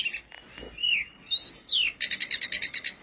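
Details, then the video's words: Blood-breasted flowerpecker song: thin, very high sliding whistles, some rising and some falling, then a quick run of sharp ticking notes about eight a second. "burung tledekan gunung gacor"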